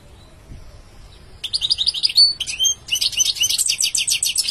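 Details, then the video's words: Song of a European goldfinch beginning after a second of near silence: a whistled rising phrase, sliding notes, then a fast run of repeated twittering notes. "Beautiful goldfinch singing"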